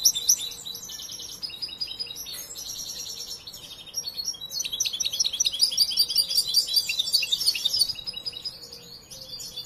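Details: Young European goldfinch, hand-raised and still learning its song, sings fast twittering phrases: rapid buzzy trills and repeated high chips in bursts, a pause near the middle, then a louder tinkling run; a faint steady hum underneath.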